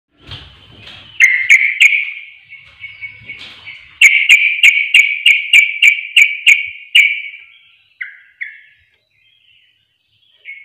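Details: Sooty-headed bulbul lure recording meant to provoke reluctant birds into singing: a run of bright, clipped chirps, each with a sharp click, repeated about three per second, then a few softer notes fading out.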